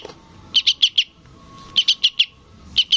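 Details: Juvenile sooty-headed bulbul calling to its parent with two quick series of four harsh high chirps, then a final pair, separated by short silent gaps.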